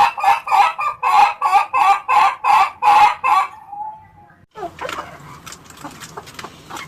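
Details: Ayam Ketawa rooster giving a rapid chuckling crow, nine loud pulsed syllables in about three and a half seconds ending in a thin drawn-out tail, followed by a soft background rustle.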